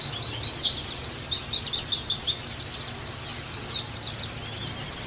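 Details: Energetic song of an Oriental white-eye, played as a tutor and therapy recording for pleci: bright, thin, sliding chirps in fast series, a brief pause, then another chattering burst.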